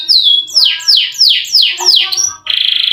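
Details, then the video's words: Canary in long-rolling song, used to lure quiet canaries into singing: slow descending swoops about two per second, ending in a rapid buzzy trill. "KENARI GACOR NGEROL PANJANG COCOK UNTUK PANCINGAN BUNYI BURUNG KENARI YANG MALAS BUNYI"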